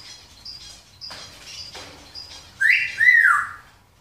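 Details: Thirteen-year-old grey parrot, a former feather plucker now living in a shop where it talks to customers and answers the phone. Faint high chirps come first, then loud whistled notes that swoop down and then rise again near the end.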